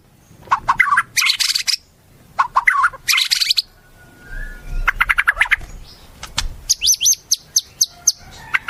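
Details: Tutoring recording of white-rumped shama song holding wild bird imitations: harsh buzzy bursts and chattering phrases, rapid clicking notes, then clear high repeated whistles.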